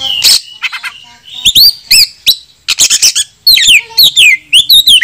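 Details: Kept oriental magpie-robin in full song, its call meant to challenge opponents to fight: rapid series of high looping whistles and rasping bursts, rising and falling notes repeated several times in quick succession.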